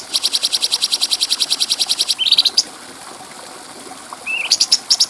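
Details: Bulbul with a clean voice, for training other birds: a fast even rattle of high notes for two seconds, a rising whistled slur, a pause, then another slur and a chip burst.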